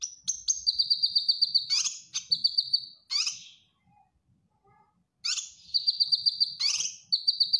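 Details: Cucak kinoy bulbul singing steadily as a training master for caged birds: high buzzy trills broken by harsh bursts, a silent pause of about two seconds, then the trilled phrases resume.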